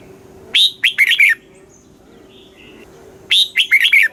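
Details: Red-whiskered bulbul, a Thai cage bird, giving southern-style master song played to rouse caged birds and teach chicks; two bubbly whistled phrases of four or five notes each, about three seconds apart, soft chirps between, low hum behind.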